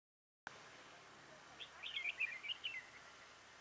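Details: Bulbul being trapped with a lure bird, 10 December 2017: after a brief silence, a rapid burst of bright, twittering warbled notes lasting about a second, set against faint steady hiss.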